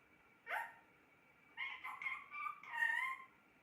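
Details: Pet parrot talking: one short squawk, then a drawn-out speech-like phrase of several syllables with rising and falling tones, in a quiet room.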